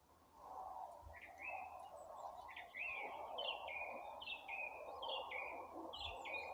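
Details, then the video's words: Birds singing in April, several whistled, slightly falling phrases repeated in a row over a steady low hum and background noise. "Апрель: птицы потихоньку распеваются"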